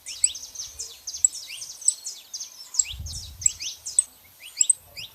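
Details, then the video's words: Saffron finches, a female and a male, making noise: a run of sharp high chirps, each a steep downward sweep, given in quick clusters about once a second, with faint low rumbling beneath. "canários da terra fazendo barulho fêmea e macho"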